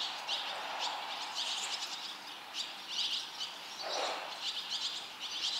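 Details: Barn swallow chicks as a brood of five fledges, all leaving the nest within two and a half minutes while already-fledged young from other nests urge them on; high, sharp chirps in quick clusters, repeated about every half second over a steady outdoor hiss.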